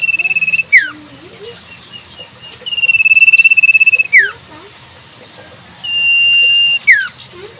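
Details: Wild common iora singing in nature: three long level whistles, each about a second long, each ending in a sharp downward slur, spaced a few seconds apart, with faint softer notes between.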